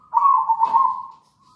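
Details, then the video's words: Perkutut, a local zebra dove, in full song for luring other doves into singing: a short, loud, rolling coo with a brief click partway through. "PANCINGAN PALING AMPUH PERKUTUT LOKAL GACOR"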